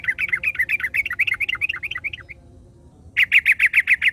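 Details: Wild yellow-vented bulbul exchange with another bulbul answering: a rapid, bubbling, up-and-down chatter for over two seconds, silence, then a crisp run of about eight loud evenly spaced chirps.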